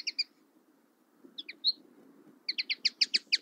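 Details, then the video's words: A common linnet's bright, twittering chirps come in short bursts: a pair, a brief trio, then a quick run of about eight notes, over a faint low rumble. "Common linnet 1h bird sound"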